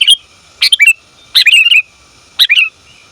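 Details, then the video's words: A female sooty-headed bulbul calls the male, recorded as a trapping lure; three bursts of tumbling, slurred chirps with a falling tail, separated by brief pauses of about half a second. "Suara Burung Kutilang Betina Memanggil Jantan"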